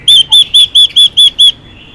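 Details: Female Chinese hwamei, singing to stir up males: seven loud, evenly spaced, arched whistles at roughly four per second, then silence.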